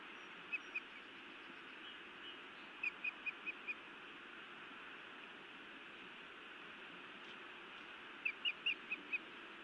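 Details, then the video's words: A feisty female osprey at her Montana nest scolds her mate, evening of 31 May 2017; three separated bursts of piercing, clipped whistles, two to five notes each, over constant rushing background noise. "Feisty Iris scolds then bites Louis a time or two"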